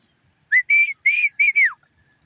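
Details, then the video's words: A single Black francolin phrase: five harsh, whistled notes in quick succession, the first short and rising, the middle ones level and strong, the final note sliding sharply downward, against a quiet background. "Kala teeter ka awaz"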